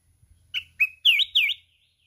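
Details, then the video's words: Red-whiskered bulbul singing hard with continuous wing-flapping: a quick phrase of four bright whistled notes, two short chirps, then two louder, looping swoops, over a faint low hum. "Chào mào núi hót cực xung"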